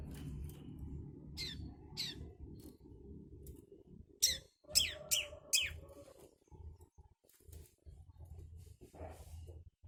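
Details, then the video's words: Young long-tailed shrike (cendet) learning the Kunti song: short bursts of sharp, high chirps and scratchy notes in quick clusters, louder trio near the middle, over a steady low hum of background noise. "Burung cendet muda , blajar Kunti"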